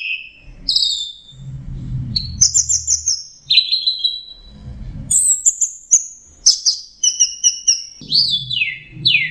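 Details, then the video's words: Captive bird singing a 'teler' training song: sharp downslurred whistles and rapid high chip series, broken by short pauses with low background noise. "Masteran Punglor Teler Gacor Full Isian Kombinasi Tembakan Cocok Buat Masteran dan Pancingan Burung"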